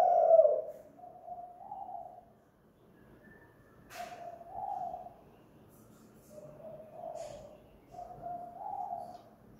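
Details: At home, a spotted dove used for luring coos 'kuk gantung' style: one loud rolling coo, then softer paired hoots repeating at intervals, with an occasional click in a quiet setting.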